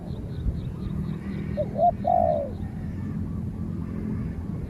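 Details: Spotted dove taken out for training, calling against a wild dove that keeps its distance. One short low note, then a hoarse cooing phrase with a falling end. A steady pulsing insect chorus and low rumbling noise continue behind it.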